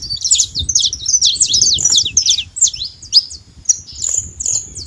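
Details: Wild saffron finch, free in nature, giving a hurried series of high sharp chirps that thins out into a few spaced, drawn notes near the end, with faint low background hum.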